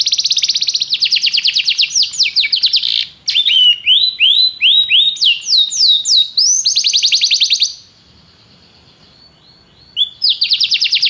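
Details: Canary singing rolling trills and looping whistled sweeps, with fast repeated notes, a gap of near silence, then a resumed rapid trill.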